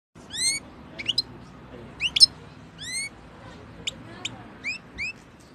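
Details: European goldfinch giving a series of short, bright chirps in quick succession, each note sliding upward with a thin ringing overtone, interspersed with brief clicks; a faint low hum underneath.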